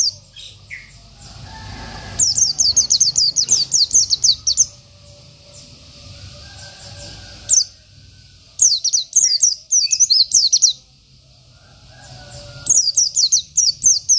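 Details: Oriental white-eye, local type, in energetic isian song for bird tutoring: three bursts of fast, very high descending chirps, each lasting about two seconds, separated by quieter gaps with faint lower notes.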